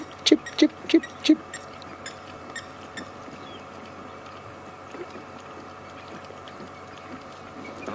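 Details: Blacksmith Lapwing calling in the background at sunset during an African game drive, near active lionesses with another lion roaring nearby: four sharp metallic 'tink' notes in quick succession, like a hammer on an anvil, then silence over a low steady hum.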